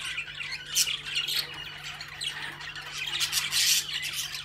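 A cockatiel gives harsh, high squawking calls in short repeated bursts.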